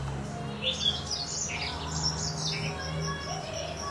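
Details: Rock canary or green singing finch, Serinus mozambicus, giving bright high twittering phrases and short chirps over a steady low hum.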